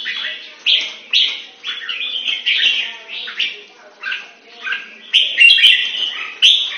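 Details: Red-whiskered bulbul kept for song training in Singapore style pours out repeated short slurred whistles and chirps in uneven bursts, growing louder and fuller toward the end.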